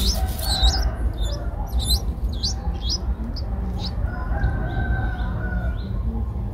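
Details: Streak-eared bulbul nestlings, eight days old with eyes open since day seven, in Ubon Ratchathani, Thailand, on 10 April 2023: a burst of high, thin upslurred chips early on, then quieter, over a rooster crowing and low rumbling background noise.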